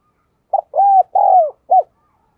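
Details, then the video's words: Spotted dove coo phrase: a short note, two long arched coos, then a final short note. "cu gáy"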